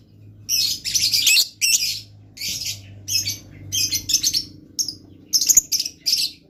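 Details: Pet blue lovebird chattering continuously: dense, scratchy, high squeaks and buzzy chirps strung in short phrases with barely any pause, over a low electrical hum.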